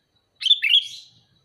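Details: One clean call from a sooty-headed bulbul: a quick, liquid, bubbling phrase of two linked notes, about one second long, over a quiet background.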